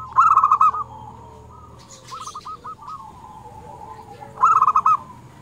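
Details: Local zebra dove, a frequently singing bird with a clear 'crystal' voice, recorded for luring wild doves. Two bursts of rapid, clipped cooing notes around one pitch, with a softer stuttering phrase between and faint background coos.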